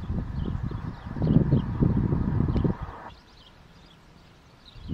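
A white stork's rapid, hollow wooden rattle of bill-clattering for about three seconds, then quiet, with faint twittering of small birds above.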